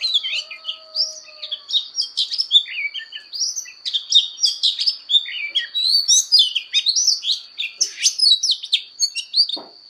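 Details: Oriental magpie-robin delivering a long fighting song as voice training: continuous, varied whistles, buzzy notes and quick trills in rapid succession, with a steady high tone and a faint lower whistle early on.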